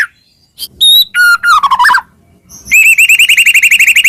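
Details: Murai batu singing as a master recording for other shamas: a few high whistles and a descending warbled phrase, a pause, then a fast even series of repeated ringing chirps about four per second.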